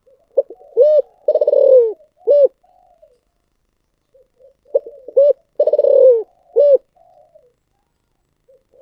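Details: Spotted dove calling in the 'giọng thổ sấm' manner. Its phrases mix short rounded coos with a longer falling note, framed by soft murmuring coos, and the phrase comes twice.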